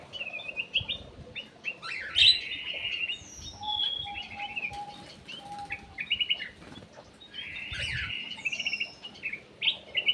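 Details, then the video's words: Lure recording of ruby-throated bulbul, locally cucak emas or kutilang emas: lively chattering phrases of rich slurred whistles, rising and falling, with wing flutters and a thin steady tone beneath. "PANCINGAN CUCAK EMAS \ KUTILANG EMAS"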